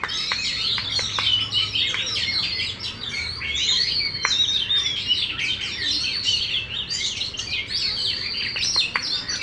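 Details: Contest-winning caged Oriental magpie-robin with a fully opened tail sings energetically: rapid cascades of twittering notes, sharp clicks and ringing whistles in an almost unbroken flow.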